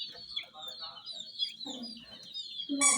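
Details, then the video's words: A flock of hen chicks around miniature jeep toys keeps up a steady high-pitched peeping chorus, with a few lower clucking notes and a louder burst at the end. "MURGI "Chicks Chirping" Sound Gallina Video"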